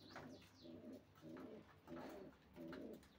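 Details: Racing pigeons giving short low coo phrases repeated about every half second, five in a row, with faint higher chirps.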